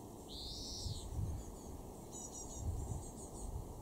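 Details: European greenfinch, a garden bird in Weener, East Frisia, Germany, June 2024: one long, buzzy, nasal wheeze of about a second, gently arched, followed by faint high twittering notes over a low background rumble.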